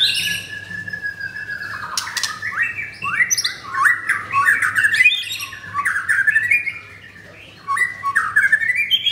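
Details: Double-ringed blorok white-rumped shama kept in a cage at a Jakarta kiosk, singing energetically: a long steady whistle, then dense jumbles of rising and falling whistled notes, a brief pause, and more bright upslurs.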